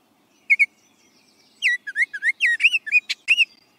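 A Baltimore Oriole gives a short run of rich, fluty whistles, slurred up and down around mid-high pitch, after two quick opening notes.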